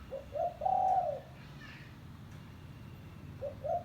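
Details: Tekukur, the spotted dove, giving a luring call: two quick soft coos then a long level coo, a quiet pause, and the next phrase beginning at the end.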